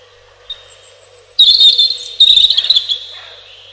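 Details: A robin sings: a faint thin note, then two bursts of rapid, high, twittering warbled phrases separated by a short pause, trailing off softly.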